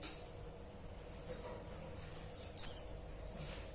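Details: Female white-eye calling the male, giving faint, high, downward-slurred chirps followed by one sharp, loud, thin descending note near the end, with low steady hum behind.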